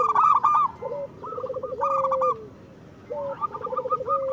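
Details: Local zebra doves singing, used as a master track: rapid cooing bursts and lower rolling coos ending in drawn-out notes, a short pause, then the pattern resumes.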